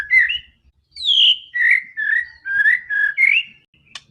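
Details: Fighting white-rumped shama used as a lure for other shamas, singing loud whistled notes that swoop up and down, several clear phrases in a row, ending with a sharp click.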